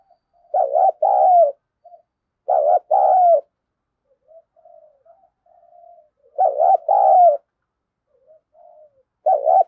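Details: Decoy spotted dove cooing to goad a rival into fighting: paired hoarse coos in bursts roughly every two seconds, with soft faint murmuring coos in the gaps between phrases.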